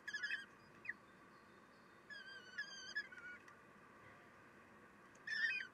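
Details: Kestrel nest, 3 June 2021, 9:12: a female feeding chicks. Sharp, wavering squeals with a bright buzzy edge sound in a quick cluster at the start, then a drawn-out bending call, and another burst at the end.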